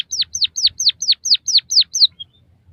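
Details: White-headed munia, used as a training song for captive birds: nine evenly spaced, loud downward-sweeping whistles, about four per second, ending in one faint soft note.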